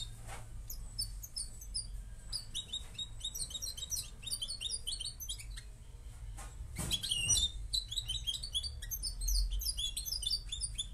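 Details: Moroccan goldfinch singing a long, dense, fast twittering song of high tinkling and buzzy notes that runs almost without pause, with a brief soft thump midway and a low background hum throughout.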